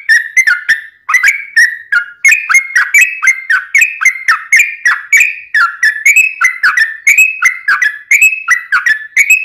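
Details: Yellow-vented bulbul delivering a long ropelan song without pauses, used as training material and to lure wild bulbuls: a steady chain of mellow, bubbly notes alternately rising and falling, a few each second.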